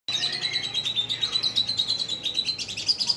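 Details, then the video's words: Oriental magpie-robin, locally called cungko, singing persistently in long phrases: a dense, unbroken high warble of rapid chirps over a steady whistled thread, turning brighter and more varied near the end, with a faint low hum beneath. "CUNGKO GACOR MATRI PANJANG2"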